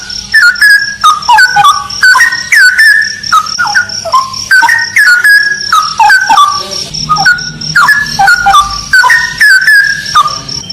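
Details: Straw-headed bulbul in a haunted ravine delivering continuous rich, gurgling warbled phrases with downward slurs, over a low steady hum and a constant high-pitched insect-like whine.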